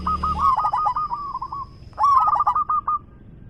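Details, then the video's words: Big-voiced local zebra dove: two long phrases of quick clipped coos, each starting with a sharp rising note and trailing into a softer even trill, about two seconds apart, with a brief low hum at the start. "PERKUTUT LOKAL GACOR suara besar"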